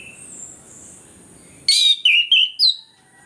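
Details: Orange-headed thrush song used to draw lazy birds into singing: after a quiet start with a faint high whine, four loud whistled notes follow rapidly, the middle ones level and ringing, the last rising sharply.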